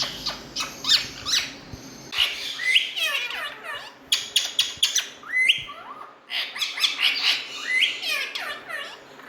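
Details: Indian ringneck parakeet making loud noise: rapid stuttering chatter mixed with downward-swooping whistles and harsh squawks, coming in bursts separated by brief gaps.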